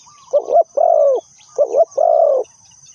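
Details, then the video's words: Spotted dove acting as a trapping decoy, two clear phrases of deep cooing, each a quick double note leading into a long, smooth, slightly falling coo, over a faint constant high hiss. "Suara Terkukur Pikat Tua"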